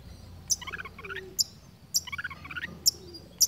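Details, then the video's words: A long-tailed shrike imitating other birds: sharp high clicks recur about every second, each followed by bubbly, chattering note clusters. "Cendet gacor menirukan suara burung dengan teratur tanpa putus"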